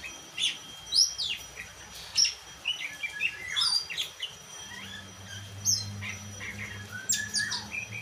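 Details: Black-and-white Oriental magpie-robin sings sharp whistles, rising sweeps and chattering notes in uneven bursts, while a low steady hum sounds in the background during the second half.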